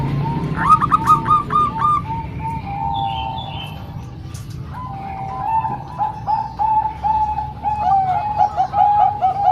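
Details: Bangkok and local zebra doves singing, a recording for training young birds: a quick run of looped coo notes, a drawn-out tone, then a long rolling series of bubbly coos, with faint chirps and hum behind.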